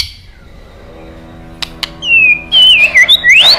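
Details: White-rumped shama after a quiet start with two sharp clicks: loud, clear whistled phrases that rise and fall, swooping steeply up at the end.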